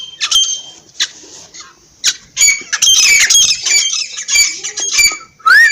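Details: Partridge calling in loud, harsh, squawking bursts, sporadic at first, then a dense run of overlapping high, scratchy notes with a brief rising whistle at the end.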